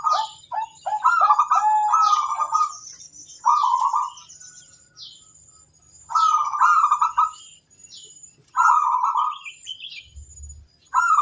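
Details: A local zebra dove sings boldly to challenge opponents and draw replies from other birds. Its trilled, rippling coo phrases repeat about every two and a half seconds, with scattered high chirps and light knocks between them.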